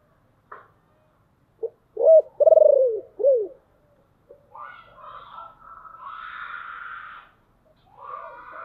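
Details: Decoy spotted dove with a deep, husky voice calling to lure wild doves: one coo phrase of a short note, a rising hoot, a long throbbing pulsed coo and a falling final note, followed by a softer scratchy rustling noise.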